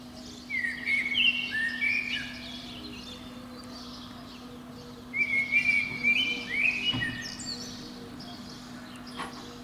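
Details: Eurasian blackbird at the very top of a pine under a window, singing on a spring morning; two melodious whistled phrases about four seconds apart, each warbling and ending in high twitters, with a faint click and steady hum.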